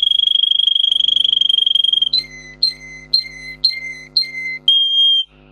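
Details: Russian singer canary song used for teaching canaries: a fast steady rolling trill for two seconds, then separate falling whistled notes repeated about twice a second, closing on a held tone, soft hum underneath.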